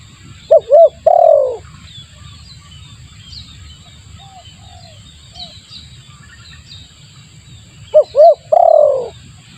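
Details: Two phrases from a spotted dove used as a lure, each a pair of short coos ending in a long descending coo. Faint high chirps of other birds sound between them.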